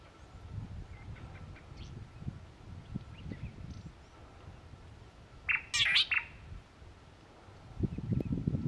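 A single harsh, buzzy crimson-breasted shrike call bursts out once, under a second long, over low wind rumble and faint distant chirps.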